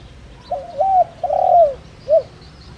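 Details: Decoy spotted dove with the giọng đồng rặc voice used to attract other doves; one full phrase: a stepped double coo, a long loud coo gliding down, and a short upturned final coo, on a quiet background.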